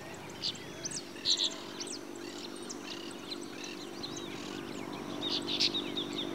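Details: Brown-chested martin recorded in Santa Fe, Argentina, in 2023: short, bright chirps stand out near the start and again near the end, with scattered faint twittering between and a steady low hum underneath.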